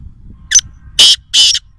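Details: Three loud, scratchy, broadband notes from a wild black francolin at Nawabshah, Pakistan: a brief clipped first note, then two longer harsh grating ones about a third of a second apart, over faint low background hum.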